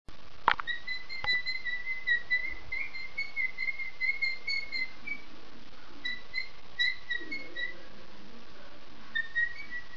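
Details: A shy pet cockatoo, rehearsing its own "summer song", whistles a wandering, tune-like phrase of clear notes rising and falling, with a few sharp clicks near the start and a low room hum behind.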